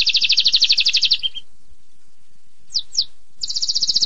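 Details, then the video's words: Canary singing for mastering: a rapid high roll ends in a short low note, followed by near silence, two quick downward slurs, then the fast trill resumes. "Suara Burung Kenari durasi panjang!!"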